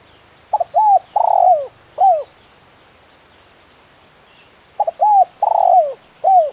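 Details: Spotted dove (tekukur) in lively KUK 1 style, a crisp champion caller: two coo phrases, each a quick double note, a long swelling coo and a falling final coo, with a silent pause between them.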